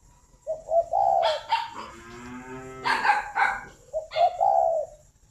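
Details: Spotted dove kept at a breeding farm near Ba Vì, Hanoi, Vietnam: low hollow coos in phrases, a soft throaty rolling note in the middle, then further coos, with clicks and rustling in between.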